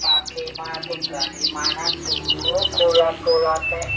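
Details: Gacor canary singing with melodious cengkok phrasing. A run of quick downward-sweeping whistles repeats over two per second, mixed with lower warbled notes and a few sharp high chips.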